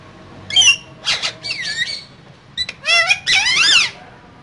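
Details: Caged pair of green parrots talking: rapid, speech-like warbled syllables and squeaky squawks, a quick click, then a longer run of rolling, bending harmonic chatter.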